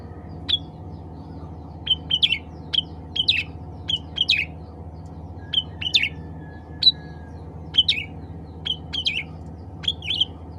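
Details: Cucak ranting bulbul calling to other birds of its kind: short, sharp chirped notes, some doubled or tripled, scattered irregularly about once a second over a steady low hum.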